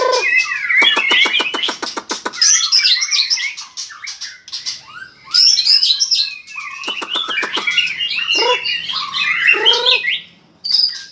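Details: Fired-up white-rumped shama song during tail-flicking display; bursts of rapid dry clicks alternate with dense twittering whistles and buzzy phrases, with brief pauses between outbursts.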